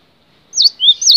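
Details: Cinereous tit (gelatik batu), a long-duration training recording for cage birds: three clear, high chirped notes in quick succession, the first and last with a sweeping dip, the middle one a short rising whistle, on a silent background.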